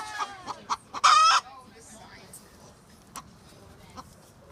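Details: Domestic chickens kept by the owner, one of them being loud: a few short clucks, then a single loud, harsh squawk of about half a second, followed by quieter scattered clucks and near-silence.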